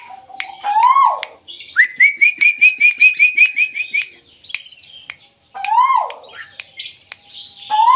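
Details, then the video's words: Little bronze cuckoo held in the hand and calling. Rising-then-falling harmonic whistles open and close a passage, with a fast run of about a dozen short, high ticking notes between them. "tuwu/lekkolek luar biasa walaupun di pegang tetap berbunyi"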